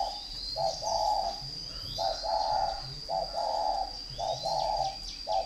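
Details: Fighting spotted dove at a bird farm in Ba Vì, Hanoi, Vietnam, repeating two-part coos, a short clipped note followed by a longer hollow one, roughly once a second, over faint chirping and a constant high-pitched hum.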